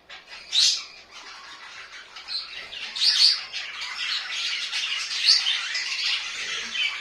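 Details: Household budgies chatter with bright high chirps and squeaks that swell into a busy, continuous warble after three seconds, with brief louder peaks in a small indoor space.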